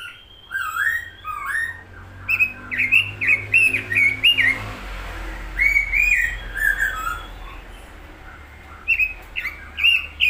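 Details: Robin in full, active song: varied warbled phrases of bouncy whistled notes in quick runs, pausing briefly between bursts, with a low hum underneath.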